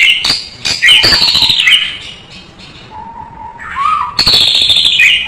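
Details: White-rumped shama song for tutoring cage birds: loud harsh scratchy bursts mixed with whistled slurs, a pause with a low steady whistle, then another harsh rattling burst.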